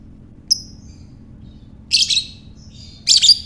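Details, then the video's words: Lovebird chatter, used to lure other lovebirds: a thin high chirp then two bursts of shrill, scratchy high-pitched chattering, over a faint low hum. "Lovebird Ngekek"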